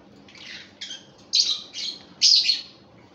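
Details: Pair of pet lovebirds giving five short, high, squeaky chirps within about three seconds, the later ones louder and harsher, in a quiet indoor setting.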